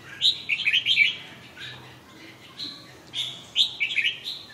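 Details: Red-whiskered bulbul singing: bright, bubbly whistled phrases of quick warbling notes, delivered in short bursts about every second or two, over a soft low background hum.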